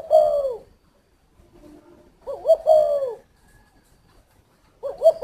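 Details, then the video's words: From a Ba Vì, Hanoi dove aviary, a Spotted dove coos: the tail of one phrase, a full rolling phrase after two seconds, and the start of another near the end, with soft low notes between. "chim cu thổ"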